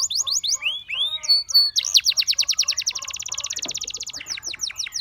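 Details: Singing Gloster canary: quick chips and curved whistles lead into a long, very fast rolling trill, with a steady high buzz partway through, finishing in slower sharp down-slurred notes.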